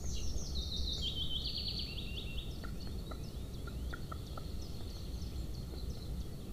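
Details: Golden eagle at a breeding nest (nest camera 2) in Estonia near a military training ground, 31 May 2024, 17:33: a quick run of high, thin yelping notes stepping downward, then scattered short chips, over a steady low rumble of wind.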